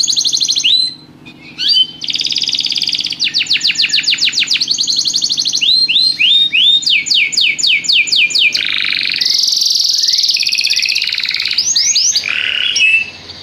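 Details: Canary singing in a lively rhythm, a long varied phrase of fast rolling trills, rapid descending chips, rattling tours and a sustained buzzy stretch, with brief pauses between sections.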